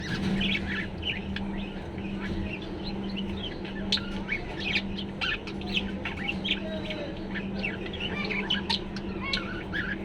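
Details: A male budgerigar, which the owner describes as comfortable, happy and cheerful, chatters in a continuous stream of quick chirps, clicks and soft warbled notes.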